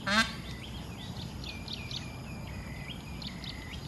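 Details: Indian peafowl hen and chicks at an animal study station in Kantharawichai, Maha Sarakham, recorded July 2016; one short loud harsh note opens, followed by a run of soft high whistled peeps, some rising, some falling, against low rumbling background.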